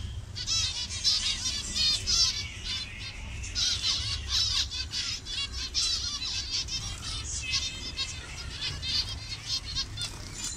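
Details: Colony of zebra finches of different colour variations in Bangladesh. Steady, dense chatter of thin, nasal calls from many birds at once, fading slightly toward the end.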